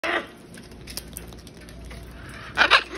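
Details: Wild macaws visiting a balcony to be fed peanuts during the nesting season, some carrying food to chicks: two harsh, raspy squawks, one at the start and one near the end, with faint rustling between.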